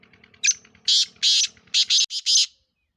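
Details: Sindhi black francolin giving a loud, harsh, rasping call: one short note followed by five grating bursts in quick succession, with faint low background sounds.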